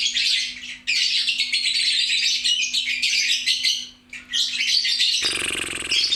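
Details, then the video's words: Lovebird chattering loudly with long streams of harsh, high twittering, ending in a broad burst of noise. "LOVE BIRD..GACOR RAME2"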